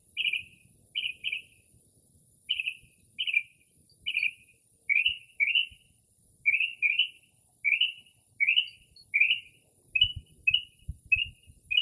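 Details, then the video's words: Northern mockingbird, recorded from a porch on an early spring night, repeats short buzzy chirps in pairs and runs, roughly every half second, with a few soft thumps toward the end. "Northern Mockingbird Mimics Different Bird Calls"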